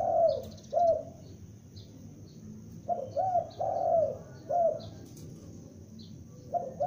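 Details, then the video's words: Loudly calling young spotted dove kept as a lure: repeated hollow coos in groups, pairs and runs of three with longer final notes, spaced by pauses of one to two seconds; faint high chirps behind. "Tekukur Pikat gacor anakan Berbunyi Memanggil"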